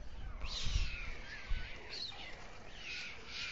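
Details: White storks at dusk in Alcalá de Henares, Spain: the male feeds two chicks on the town hall tower nest. Hoarse, cat-like mewing calls recur, with soft low knocks.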